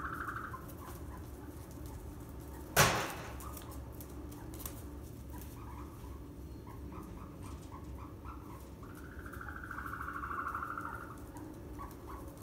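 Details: Ostrich chicks raised on a farm in northern Saitama, Japan, 7 May 2020: a brief trill opens, scattered soft chirps follow, a sharp knock sounds early, then a sustained warbling trill, all over constant low hum.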